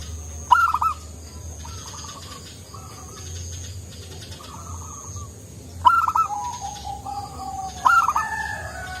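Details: Actively singing local Zebra Dove with a mellow voice. Three phrases of a bright clipped note and a quick stuttering run of coos come roughly every three seconds, with softer dove notes between.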